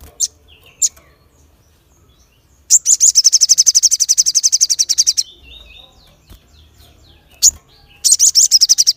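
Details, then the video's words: Sharp-voiced crested jay calling to provoke other birds: two lone high chips, a long fast rattle of roughly thirty notes lasting over two seconds, soft whistles, another chip, then the rattle resumes. "SOGON Gacor Full Nembak Suara Tajam l Bikin Yang Lain Terpancing"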